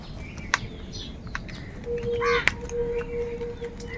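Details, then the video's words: Crows fighting for food, with a few short, harsh calls rising out of the middle of the recording. A steady drawn-out tone runs beneath them, alongside scattered chirps from other birds and general outdoor background noise. "Very loud voice of Crow sound | কাকের ডাক Crow Sound Crow ki Awaz Loudly"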